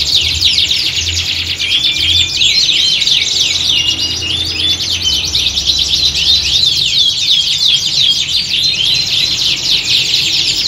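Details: Canaries singing en masse in a competition-like setting for training; rapid chattering trills and sharp rising-falling chirps stream continuously, several birds layered over one another, faint low background drone.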